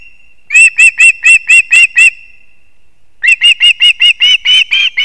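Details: At a Kurzeme, Latvia osprey nest with chicks in September, as the male delivers fish: two bursts of rapid, piercing chirps, seven or eight notes each, separated by a short pause.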